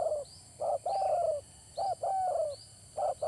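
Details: Spotted dove cooing as a trapping lure: mellow low coo phrases, two quick notes followed by a longer falling one, repeated about every second and a half amid faint hiss.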